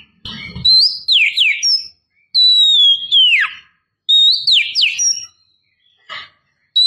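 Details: Female Oriental magpie-robin calling to entice a male: repeated loud whistled phrases mixing level tones and quick falling slurs, about one phrase every two seconds, with a short low rustling at the start.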